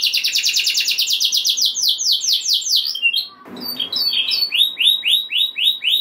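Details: Canary song used to rouse other canaries: a long rapid trill of repeated notes, a brief noisy pause, then scattered chirps and repeated swooping whistled notes.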